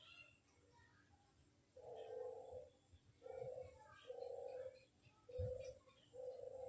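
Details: Barbary dove lure coos at a distance: five hollow, level notes, each under a second long, come in an uneven series over faint chirps, a thump and a steady high whine.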